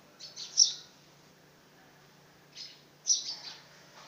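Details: House sparrow chick trying to fly calls in two clusters of high, clipped chirps, each cluster of three or four notes with a sharp loudest note, separated by a quiet gap.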